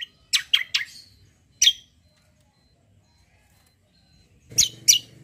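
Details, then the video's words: White-eye (kecial) fighter bird in 'kombo cucak kombo' style: three fast piercing chirps, a single chirp after a pause, then two more loud chirps over a faint low hum. "KECIAL KOMBO CUCAK KOMBO FIGHTER GACOOR"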